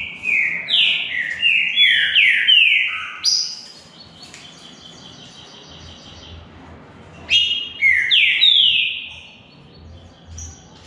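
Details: Green-winged saltator singing in a contest against another bird: a rapid string of downward-slurred whistles, a softer buzzy jumble of high notes, then a fresh burst of falling whistles.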